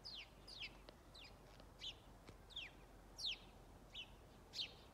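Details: A lone house sparrow gives powerful calls on 21 December 2022 at Strömgatan, Haga: short, bright, downslurred chirps, about eight in five seconds at an uneven pace, over a faint low hum.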